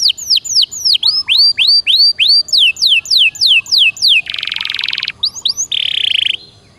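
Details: Canary delivering loud 'gacor dor nembak' song for prompting a silent bird: strong down-curving whistled notes repeated about three per second, then a harsh buzzy roll, a few short notes and a second buzzy burst.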